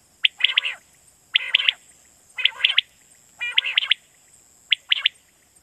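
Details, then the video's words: Quail calling in Pakistan, a recording used for night hunting to lure birds: clipped high three-part phrases with a bright, rapid ring, repeated roughly once a second, five phrases in all. "Batair Kirak batair ki Awaz For Night Hunting"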